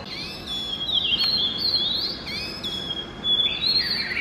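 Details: Oriental magpie-robin singing in the early morning: long, clear whistled phrases that slide up and down, some sweeping notes rising and falling, with short pauses between phrases.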